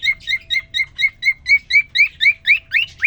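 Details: Caged male cockatiel courting a newly introduced female after three days kept alone: quick run of clear chirps, about four per second, turning into rising upslurred whistles toward the end.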